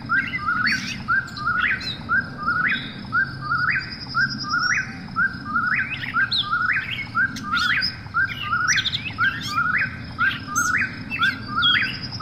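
An Eastern Whip-poor-will repeats its whistled, rising three-note 'whip-poor-will' about once a second, with a faint echoing overlap and quiet night background.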